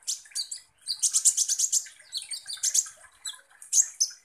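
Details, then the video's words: Sunbird known locally as kolibri ninja, in energetic full song played as a lure to provoke konin birds into agitated singing: very high, thin, rapid chirps and trills in quick bursts, some sharply repeated, with brief pauses between phrases. "PANCINGAN kolibri ninja GACOR"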